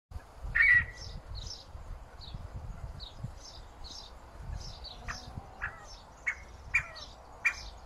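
Scaled quail giving short, nasal, squawking notes, repeated unevenly about every half second to second, with softer high chirps and a low rumble of wind behind.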